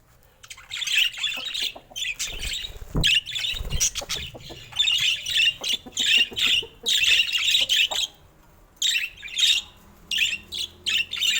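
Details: Colorful pet budgies, including rare mutations and babies, chattering in dense scratchy bursts with squawky notes, about a second each and separated by short pauses, with no music or voice.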